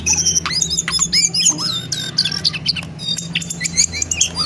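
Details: Lesser shortwing in lively, fiery chatter: dense run of high whistled notes, short upward slurs and squeaky trills, nearly continuous, with a steady low hum underneath.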